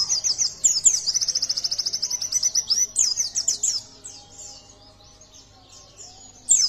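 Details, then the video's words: Yellow-breasted white-eye singing to stir other birds into song: a fast, even train of high chattering notes for three seconds, then softer scattered twitters, a low background hum throughout. "Pleci Dada Kuning Gacor Buat Pancingan Bunyi Naikan Emosi Agar Buka Paruh"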